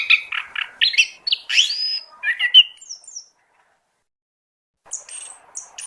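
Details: Oriental magpie-robin song used as a bird lure: quick varied whistles and rising slurs for about three seconds, a silent gap, then faint high chips.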